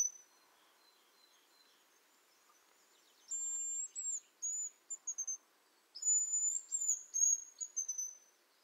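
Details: Hazel grouse in Lithuania giving two very high, thin, drawn-out whistles, each ending in a quick stuttering trill of short notes, about three seconds apart, with faint background hiss.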